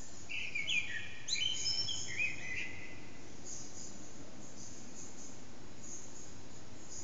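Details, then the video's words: Eurasian blackbird at about 4:30am in the early morning, singing unseen in an echoing backyard, captured on an HTC Desire: one warbling phrase of several mellow whistles and sharp high trills, then only low background rumble. "Blackbird's morning song"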